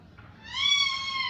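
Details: Parrot giving a single drawn-out harmonic call that rises, swells, and then holds steady, rather nasal and meow-like, lasting about a second against a quiet background.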